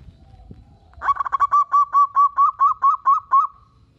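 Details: Local Indonesian zebra dove singing actively, meant to provoke other doves into answering: one loud phrase of about thirteen rapid, evenly spaced cooing notes, slightly wavering, over about two and a half seconds. A quiet low rumble sits beneath.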